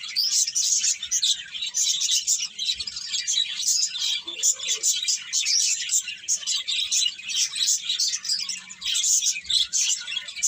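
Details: A busy flock of birds keeps up nonstop high-pitched chirps and tweets, overlapping steadily for the whole stretch, with a brief low sound near the middle.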